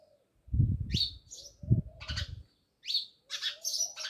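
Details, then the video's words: House sparrows near a village house in Jamnagar chirp in short bursts, overlaid by loud low thuds and fluttering sounds in the first half of the recording. "Natural Sound Of Sparrows | House sparrows Chirping"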